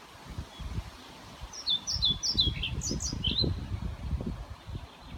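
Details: A European pied flycatcher singing in Lindgårdsskogen woodland, Haga, Sundsvall, Sweden, on 29 May 2018: a short, high phrase of quick, clear rising and falling notes lasting about two seconds, over low rumbling wind noise.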